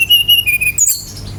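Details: Brown-chested jungle flycatcher singing to provoke other birds into song: a few level, clear whistled notes in quick succession, ending in a sharp, very high upslurred note, with a low hum beneath.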